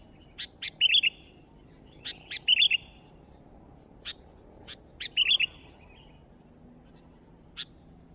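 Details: Sooty-headed bulbul singing eagerly: three bubbly whistled phrases about two seconds apart, each led by sharp clicking ticks, with more scattered ticks between.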